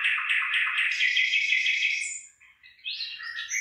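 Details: Bird singing in a rice field as the rice begins to ear: a fast, rhythmic burst of buzzy warbled notes, a brief dip, then higher whistled phrases.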